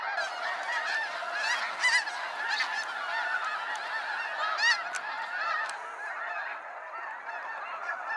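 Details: Snow geese during a sunset fly-out at Sacramento National Wildlife Refuge: a dense chorus of honks, with several nearer, louder yelps rising clearly above the massed flock.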